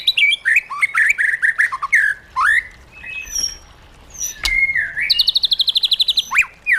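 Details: A caged white-rumped shama sings in wild-style voice: choppy whistled phrases and downslurs, a few isolated high notes and snaps, then a fast, even, high trill of repeated notes before a closing slur.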